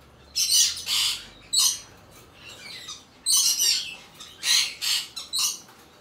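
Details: Hand-tame albino cockatiel chick, Fukuoka, Japan, 28 August 2023, making raspy hissing begging-like squawks about half a second long, often in pairs, roughly twenty per minute.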